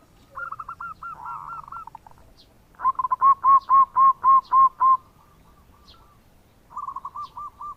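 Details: Local zebra dove in full bekur song, used to attract other birds; short rolling phrases frame a loud, very regular run of eight clear hooked coos, then softer trills resume.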